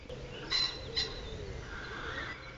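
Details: A common pheasant gives a very hard call, two loud, harsh, rasping notes about half a second apart, then flaps its wings, heard as a softer rustle, with faint birdsong in the background.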